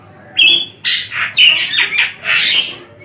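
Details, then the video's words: Javan long-tailed shrike, caged and tame, opening with a clear whistled note, then harsh, rasping, rather squawky phrases in a few loud bursts. "pentet/cendet gacor | toed cocok untuk masteran semua burung"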